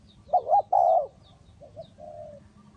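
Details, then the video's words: A Spotted dove serving as a trap decoy gives two loud, wavering coo notes, followed by softer, more distant drawn-out coos. Faint high chirping from other birds is heard in the background. "นกเขาใหญ่สายต่อดิน,BirdTrap,The Sound Of the dove"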